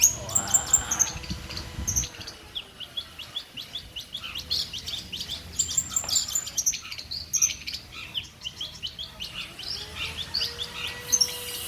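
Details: Long-tailed shrike, a prize-winning contest bird, singing with bursts imitating a kingfisher's calls: dense, rapid high chirps and sharp ticking notes tumbling together, some short clear whistles, with a low hum underneath.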